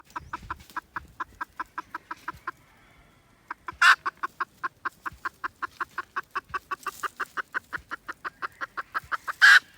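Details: Red junglefowl recorded on 16 December 2021: short, even clucks repeated about four times per second, a brief pause, then the series resumes, broken by two loud, harsh bursts.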